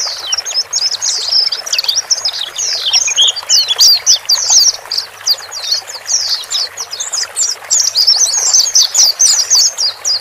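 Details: Male and female white-eyes heard as a lure so a newly purchased bird adapts quickly to its cage; a busy, continuous chatter of very high, squeaky twitters with little break.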